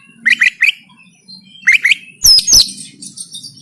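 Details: Oriental magpie-robin fighting song recorded on an Android phone in Banten, a training song for caged birds; paired rising chirps repeated, then loud harsh high slurred notes and a burst of buzzy twitter.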